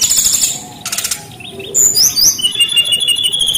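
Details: Brown-chested jungle flycatcher in full song: a buzzy rattling burst opens, then a pause and a run of high sliding whistles ending in a sustained thin trill.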